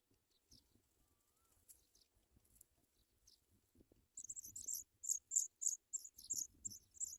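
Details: At a nest where a Sprague's pipit brings food to its young, a quiet start with faint rustles gives way to a rapid run of sharp, very high-pitched chirps, about a dozen in three seconds.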